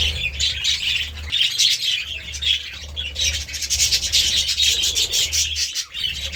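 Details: Feeding budgerigars, given seeds and vegetables, warble in rapid high twitters and harsh chirps that come in surging waves, with a soft low hum beneath.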